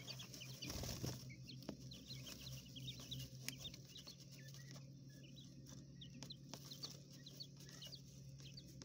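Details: Several young coturnix quail raised indoors in a hotel room enclosure chirp rapidly, with thin falling peeps tumbling over each other, then sparser calls against a constant electrical-sounding hum and light rustling.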